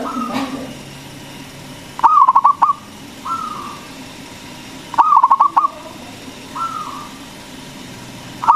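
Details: Local zebra dove singing loudly, meant to provoke other doves into calling: two bursts of rapid stuttering coos about three seconds apart, each followed by a softer drawn-out note, with a low hum beneath.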